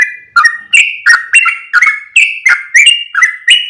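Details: Lure call for attracting yellow-vented bulbuls; crisp notes spaced about every third of a second, each a sharp onset followed by a short flat whistle, stepping between a lower and a higher pitch, clean with no other sounds.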